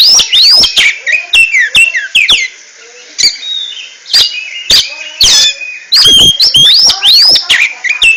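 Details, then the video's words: Kacer, the oriental magpie-robin, in ngentrok-style song: loud upslurred and downslurred whistles mixed with abrupt clicks and chips, a quieter stretch mid-way, then a fresh burst of rapid whistled phrases. "RAJA NGENTROK!!! Kacer super kicau"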